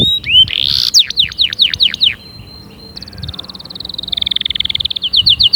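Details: Fierce canary song for encouraging other canaries to sing. It opens with a buzzy burst and a series of looping downswept whistles. After a short quiet gap, a long high trill speeds up at the end.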